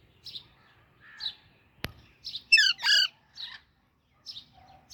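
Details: Young Alexandrine parakeet giving scattered high chirps, then a loud harsh double squawk with a rough, layered tone, followed by a few softer tweets.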